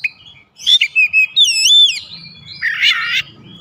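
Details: Kacer, the White-rumped shama, delivering a short burst of varied song: a few sharp chips, then a loud arching whistle and a buzzy rattled phrase, over faint low background hum.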